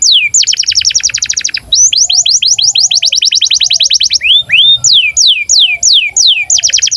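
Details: Canary in breeding condition singing as a tutor for young canaries: a rapid rolling trill of descending notes, then long runs of quick downward whistles, one brief rising pair, and another rolled burst at the end.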